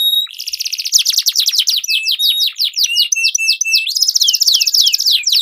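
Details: Canaries singing in a duel, used as a lure for competition birds: a fast trill of rapid notes, then repeated descending whistled sweeps and rising slurs in long rolling phrases.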